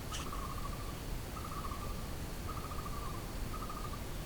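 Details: Blue-throated barbet singing in the jungle: four rolling, trilled phrases at a steady middle pitch, roughly one per second, over a constant low rumble and hiss.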